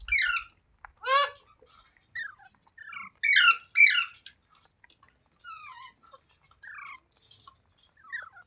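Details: Parrot calling in bursts: loud raspy squawks alternate with short, bright rising and falling whistles and chatter, spaced irregularly about once a second, with quiet gaps between.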